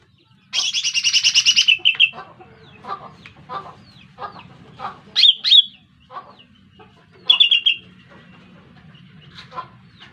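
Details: Lesser green leafbird lure call used for trapping birds: a loud buzzy rapid trill, then sharp paired high notes and scattered short chips at irregular intervals, with a low steady hum underneath.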